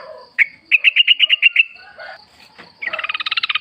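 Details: Yellow-vented bulbul heard in the wild, a lure recording to prompt kept birds to sing back. A row of about eight evenly spaced bright notes is followed by a fast harsh rattling series. A steady faint high whine sits in the background.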